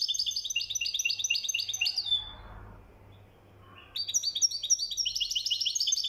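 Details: Moroccan European goldfinch singing in the mkhanter manner: dense, rhythmic runs of high jingling notes, a short pause near the middle, then the rapid metallic twitter returns strongly.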